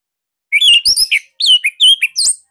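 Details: A Bali orange-headed thrush kept in a cage sings a loud, compact phrase of sharp slurred whistles, about ten quick notes in two seconds, meant as master material to prompt other caged birds to sing.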